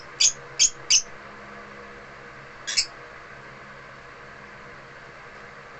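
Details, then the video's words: African lovebirds kept at home, singing indoors: three sharp, shrill high chirps in quick succession, then a pause and a fourth doubled chirp, against a quiet room hum. "AFRICAN LOVEBIRDS AT HOME SINGING"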